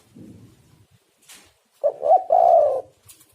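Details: Spotted dove, known locally as tekukur, cooing as a lure for other doves: one low phrase of two short hoots and a longer sustained coo, preceded by a faint low rumble.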